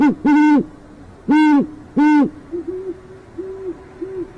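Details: Nesting great horned owls in northwest Oklahoma City, female heard rather than seen: three loud, rich, drawn-out hoots, followed by softer, lower-volume rounded hoots from a second, more distant owl.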